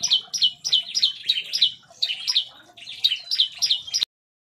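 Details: In an aviary, an agitated Bar-winged prinia sings in rapid 'nembak' fashion: bright, high-pitched chirps tumbling in quick succession for about four seconds, then cut off abruptly into silence.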